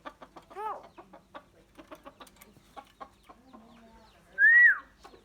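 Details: Common myna calling in many voices, said to learn human sounds: a series of soft clicks and chatter, then a loud, clear whistle that rises and falls near the end.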